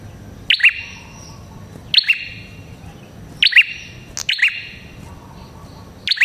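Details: Red-headed prinia, a recording used to lure prinias: loud, sharp two-part chirps, a high metallic note dropping into a lower twang, given in five bursts spaced unevenly over six seconds against quiet background hiss.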